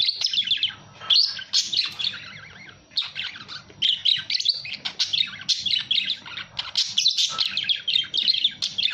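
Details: Budgerigar chattering almost without pause, a busy high warble of quick chirps and scratchy notes, with short breaks near one and three seconds; faint low hum in the background.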